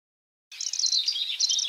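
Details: Lanceolated warbler giving its insect-like, grasshopper-style chirring song: a continuous high, dry, buzzing reel of rapid notes with a slightly uneven rhythm, beginning abruptly after a brief silence, and nothing else audible.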